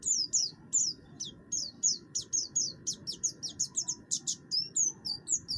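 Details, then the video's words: Harsh-voiced buxtoni oriental white-eye in full song, meant to spur other birds to sing. It gives a dense run of piercing, high downslurred notes, several per second, with a constant low hum beneath. "pleci buxtoni gacor, suara kasar, cocok untuk memancing bunyi"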